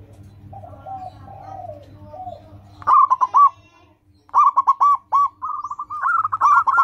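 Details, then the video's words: Zebra dove, a local perkutut in Indonesia, singing as a training lure for caged doves: a soft low warble, then loud clipped coos in quick bursts and a rolling series of repeated notes. "Perkutut lokal gacor, suara seperti ini bagus sekali untuk melatih burung perkutut cepat bunyi."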